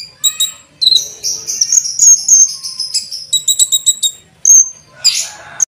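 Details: Singing olive-backed sunbird delivering a cucak jenggot-flavoured fill-in song, offered as a master song for training cage birds. Thin, sweet whistles slide into rapid high twitters and sharp chips, with a brief rough burst near the end.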